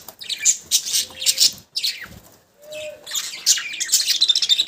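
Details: Budgies in squeaky, scratchy chirping, with two short clean whistled tones in a lower pitch partway through.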